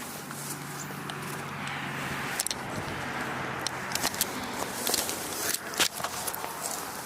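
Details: Footsteps and passing traffic over a steady outdoor rumble, with no animal voices.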